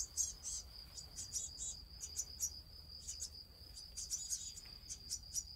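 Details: Blue tit nestlings in a nest, which the person is struggling to feed, give thin, hissing begging bursts in quick, irregular runs over a steady, piercing high whine.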